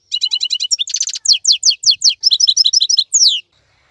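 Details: European goldfinch of wild stock, singing while other birds are silent and moulting. Fast bright twitters, a brief buzzy rattle, then a string of quick sliding chirps ending in a downward-swept note.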